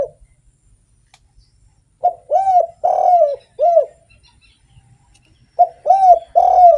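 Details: Spotted dove singing steadily as a lure bird: after a quiet start, a phrase of four mellow arched coos, a silent gap of about two seconds, then a three-coo phrase repeating the pattern.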